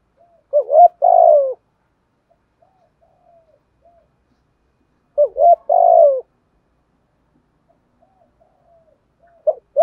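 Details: Spotted dove in thúc gù cooing: deep, husky coo phrases of a short note, a quick double note and a drawn-out rolling coo, repeating roughly every five seconds, with a third phrase starting at the end and a silent background.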